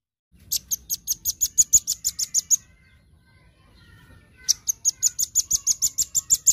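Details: Vigorous daily song of a velvet-fronted nuthatch, recorded as a tutor track: a long rattle of some seventeen sharp, very high chips, a two-second lull with faint softer twitters, then another fast run of about fifteen ringing notes.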